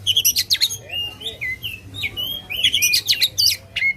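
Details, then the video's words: Loud Oriental magpie-robin song meant to provoke contest birds: bursts of buzzy chattering notes alternating with clear slurred whistles, delivered in quick varied phrases over a faint hum. "kacer gacor ngobra suara lantang ampuh buat pancing emosi kacer kontes"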